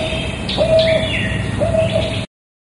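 A barred owl gives two mellow, steady hooting notes about a second apart, over steady background hiss and faint higher chirps.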